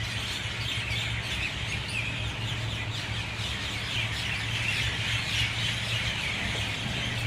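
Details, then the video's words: Many mynas calling together in full dawn chorus at 6:20 a.m., rapid overlapping chirps and squawks in a steady dense chatter, accompanied by a constant low electrical-sounding hum. "Dawn chorus of Mynah birds"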